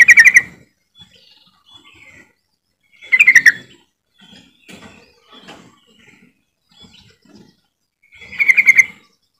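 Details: Trucukan (yellow-vented bulbul) calling to prompt other birds to sing: three loud bubbly chattering bursts about every four seconds, separated by soft scattered notes.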